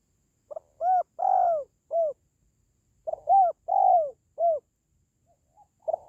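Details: Spotted dove call, used to lift the spirit of pet doves or to lure wild ones: two phrases of about four mellow, hoarse coos, the longest note falling and drawn out, with silence between phrases.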